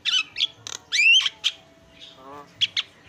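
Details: Javan myna from a masteran (songbird training recording) of birds singing back and forth: spaced sharp squawks, one long rising whistled slur, and a few clipped bright chips between quiet gaps.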